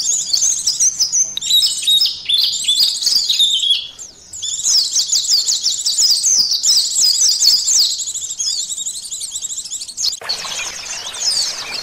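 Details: White-eye (pleci) being tested for emotion and arousal until it opens its beak: a rapid, dense, high-pitched twittering song in long chattering runs, a short lull near four seconds, and a broad rushing noise toward the end.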